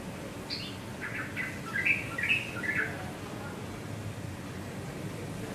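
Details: Male yellow-vented bulbul singing alone, a quick string of bubbly, liquid warbled notes packed into about two seconds, then quiet, over steady background hum and low noise.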